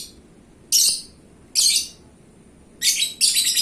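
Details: Gacor champion lovebird of paskun type gives two separate shrill, high chirps, then a quick burst of rapid buzzy notes at the close.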